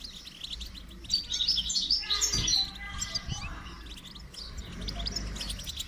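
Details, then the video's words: Goldfinch song used in training: rapid chattering twitters and buzzy notes, with a brief louder rush of noise partway through. "Motivational rewards for training goldfinch to song"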